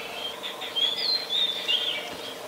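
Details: Adult Chestnut-headed Bee-eater calling in Ubon Ratchathani, Thailand, on 13 February 2021, recorded with a Nikon P1000: short, bright chirped notes sliding slightly upward, several in quick succession over a soft background hiss.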